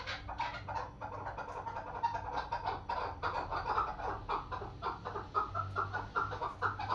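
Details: Female chukar, a local hunting bird, uttering a quieter string of short harsh clucks at an uneven, fairly quick pace, with a low background hum.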